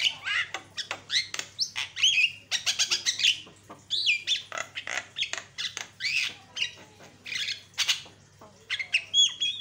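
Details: Javan myna singing energetically as a lure to provoke rival mynas: a fast, busy jumble of clicks, chattering bursts, harsh squawks and looping whistled notes with hardly any pause.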